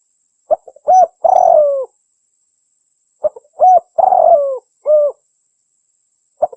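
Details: Spotted dove coo phrase, played to lure wild doves or spur caged ones to call: soft clicks, a hooting note, a long burry falling coo and an arched final coo, repeated twice with a pause between, no other sounds.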